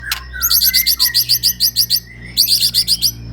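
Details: ['White-rumped shama of the Medan type, singing vigorously and unloading its repertoire: two fast bursts of about ten sharp, high, evenly spaced chirping notes each, with a lower slurred whistle beneath the first burst and a steady low hum behind.']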